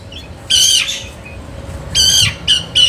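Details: Oriental magpie-robin, a kacer used to lure other birds, giving short harsh rasping notes in bursts, one at half a second, then a longer burst near two seconds and two quick ones after, over a low hum.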